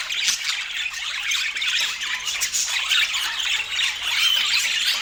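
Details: Group of budgerigars eating and chirping, constant high-pitched jumbled chatter with occasional brief whistled notes rising out of the mix.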